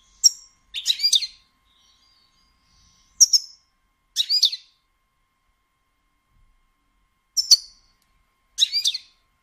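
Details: Female European goldfinch giving batbata chatter, used to stimulate males to sing and mate: four separate short bursts of high, bright twittering notes spaced a few seconds apart, with silence between them.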